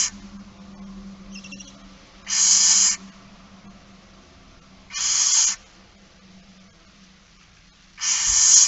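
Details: Barn owl begging during a feeding, 13 September 2019 at 06:57: three rough hissing screeches spaced two to three seconds apart, with a faint chirp and a low steady hum beneath.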